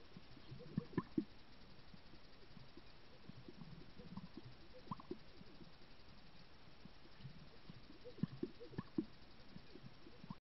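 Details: Greater sage-grouse chorus displaying in Wyoming, picked up by a wireless trail camera. Soft low pops and bubbling notes recur irregularly, with a few sharper pops, over a hushed hissing background.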